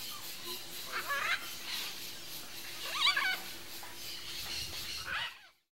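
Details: Red-and-green macaw pair caught in a lively squabble, described as a couple arguing; harsh, raspy calls with a louder burst near the middle, over a steady background hum.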